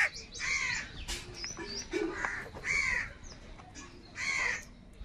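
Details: Crows fighting for food, with three harsh caws spread across a few seconds amid a busy background of fainter chirps and other bird calls.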